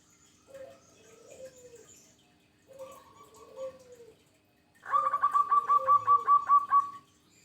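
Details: Zebra dove of a local strain singing: two soft, drawn-out descending coos, then a loud staccato string of around ten quick, even, hollow notes lasting about two seconds.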